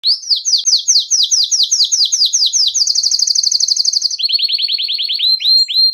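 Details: Belgian canary singing a nonstop bell-like song, used to stimulate canaries and train young birds: rapid trilled tour of repeated high notes, then a faster buzzy roll, shifting to a slower falling trill.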